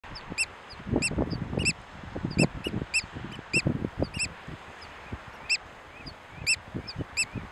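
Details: Oystercatcher on Tory Island, nine miles off the Donegal coast in the Atlantic: loud, shrill, squeaky piping notes, singly and in quick pairs, every half second or so, over low rumbling noise like wind or surf.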